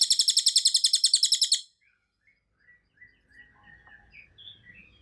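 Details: Cililin and cucak kinoy songbirds on a training recording. A loud, high, rapid pulsed trill lasts about one and a half seconds, then brief soft chirps follow in near silence.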